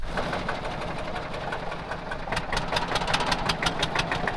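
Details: Idling engine with rhythmic knocking clatter and mechanical rattles growing louder; no animal voices present.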